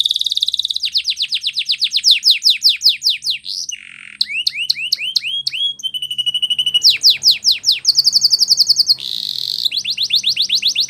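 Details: Canary song for training, loud and varied: long series of sharp falling notes speeding up, a brief low buzz, hooked whistles, a steady mid-pitched roll, a high fast trill, and more rapid falling notes.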